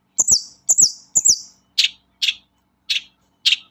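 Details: Long-tailed shrike song used as a lure to get other shrikes singing; three high descending whistled slurs, then four harsh rasping notes repeated about every half second.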